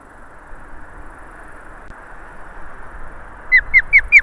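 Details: An osprey at an Estonian nest, August 8, 2019 around 12:15 GMT, during a goshawk attack, gives four sharp, high, downslurred whistles in quick succession near the end, after steady wind-like background noise.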